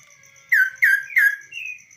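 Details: Tame kaso-kaso bird on the hand, uncaged, giving three strong, downslurred buzzy notes in quick succession and a thinner high note, with a fast rhythmic ticking in the background.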